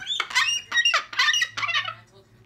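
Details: A pet cockatoo growls in four harsh, raspy bursts, each under half a second and about half a second apart, then trails off in a quiet indoor room, asserting dominance toward the household cat.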